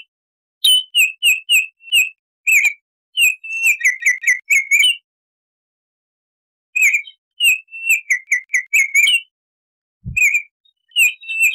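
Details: A Baltimore oriole repeats clear, mellow whistles in fast strings of about eight to ten notes, with a long pause in the middle and one faint low knock near the end.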